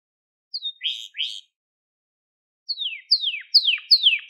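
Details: Crested Gloster canary singing, a song for teaching young canaries: a few harsh buzzy notes, a long pause, then four descending whistled sweeps gaining in loudness.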